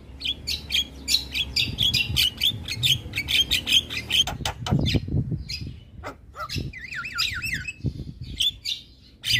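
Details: Javan myna singing forcefully, said to provoke neighbouring mynas. A fast series of scratchy chips gives way to clicks and a wavering, warbled whistle, with low rumbling beneath.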